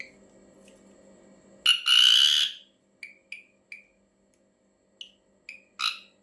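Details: An ashy drongo's strange call: a long loud harsh grating burst, then scattered short chipping notes and a final rasp, over a low steady hum.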